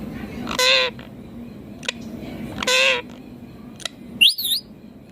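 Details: Green Indian ringneck parakeet talking: two short, loud, speech-like harmonic utterances about two seconds apart, then a quick high rising-and-falling whistle, over quiet room hum.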